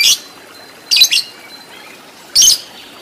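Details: Lovebird, training audio for fighter lovebirds with long ngekek; three short, harsh, high squawks, the middle one doubled, separated by quiet hiss.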